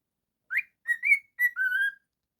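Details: Pet cockatiel whistling a short phrase: a rising note, two level mid-pitched whistles, a brief dip, then a longer steady whistle, all clear and tonal in a quiet room.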